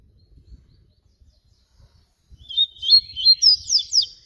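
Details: A yellow-bellied seedeater, known locally as papa-capim baiano, in flute-style song: after near-silence, a rapid phrase of high slurred whistles and sharp downward sweeps lasting about two seconds.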